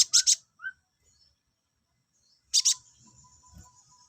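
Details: Song of the olive-backed sunbird, meant to bring males into breeding condition: a doubled rasping high chip, a short lower whistled note, silence, then another doubled chip followed by a thin sustained high tone and faint low rustling.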